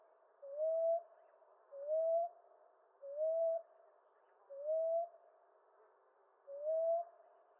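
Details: Common ground dove (Columbina passerina) cooing steadily: five mellow upslurred notes, evenly repeated roughly every one and a half seconds, with faint background hiss.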